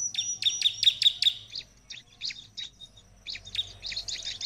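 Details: Prinia (ciblek) song played to draw other prinias into answering: a fast run of sharp, bright chirps, then scattered high notes and a thin high whistle. Later come more chirp bursts, with a faint low hum underneath.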